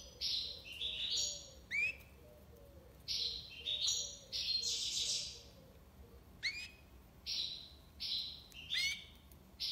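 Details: Tiwawati-style song of a European goldfinch recorded in Algiers, Algeria: repeated high trilled and buzzy phrases with quick upward-sweeping notes, each burst about a second long and spaced by brief gaps.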